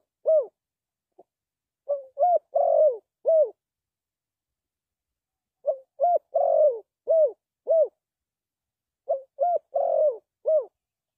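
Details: Spotted dove used to lure birds into a trap, calling in three repeated low phrases: clipped short coos, a rolling coo that falls away, and arched notes, each phrase lasting about two seconds, in otherwise silent surroundings.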